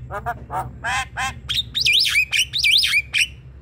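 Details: Javan myna, a lively singing bird used to provoke a lazy myna into singing: harsh squawky notes, then loud whistled phrases that swoop up and down, repeated several times.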